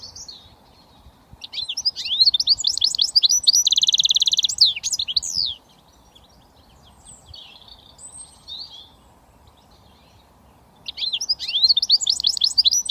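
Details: Hybrid goldfinch mule, a British finch, sings switty phrases: a burst of fast twitters and a buzzy trill, a long quiet gap with faint soft notes, then a new twittering burst begins.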